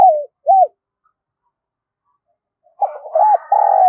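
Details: Spotted dove decoy bird cooing continuously, giọng thổ voice; two arched coo notes end a phrase, silence follows, then a fresh phrase of rising-falling hoots and a drawn-out coo over soft rough background sound.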